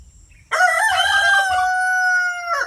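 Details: Pastured rooster on a free-range backyard homestead gives one loud, harmonic-rich crow of about two seconds. It opens with a short rising note, holds a long steady tone and ends with a brief drop. The background is quiet.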